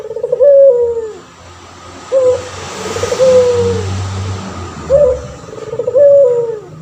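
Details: Male pelung turtle dove calling to train other birds: clear paired coos, a short high upstroke and an extended falling note, repeated at a slow regular pace against a faint hiss.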